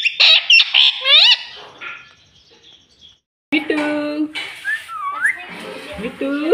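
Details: Pet green ring-necked parrot talking, said to say "mummy" and "mitthu": bright squawky syllables and rising whistled notes in a burst, a pause of about a second, then more speech-like chatter and whistles.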